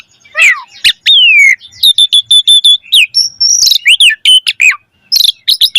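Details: Asian pied starling in full, lively song rich in varied phrases, played as a lure to train caged starlings: sharp rising and falling whistles, buzzy notes and rapid repeated chips tumbling one after another without pause.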